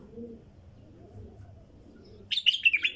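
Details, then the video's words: Brief song from a wild female bulbul: after a quiet stretch with distant low cooing, a sudden loud run of bubbly, high chattering notes bursts out at the end. "تغريد بلبل نثيه وحشي"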